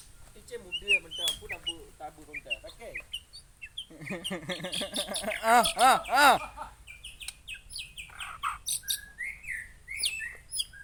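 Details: White-rumped shama of the Murai Aceh type, singing a loud, varied song: stacked harmonic notes, a run of arched rising-falling tones around the middle, then sharp high whistled phrases toward the end.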